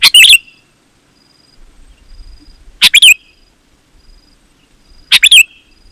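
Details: Energetic Sooty-headed bulbul song for luring wild bulbuls; three short liquid phrases of quick bright notes spaced about two and a half seconds apart, with faint low background rumble.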